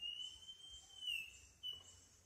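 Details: A banded male northern schiffornis calling on the Osa Peninsula, Costa Rica: a thin, clear whistle held on one pitch, rising briefly near the middle, then a short separate whistled note after a pause.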